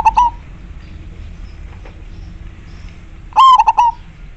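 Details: Clear-voiced local zebra dove, Majapahit type, in active song: an opening double coo, a long quiet gap, then a loud rapid phrase of four or five bubbling, stuttered cooing notes, with faint low hum behind.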